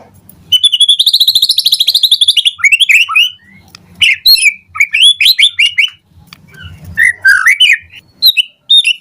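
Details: Morning lure song of the white-rumped shama (murai batu): a long fast trill of rapidly repeated notes, then a string of varied sharp whistles and downward slurs in quick succession.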